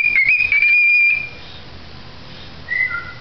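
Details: A pet cockatiel singing indoors: a clear, high whistled phrase wavers for about a second, then after a pause two short whistles, the second falling lower.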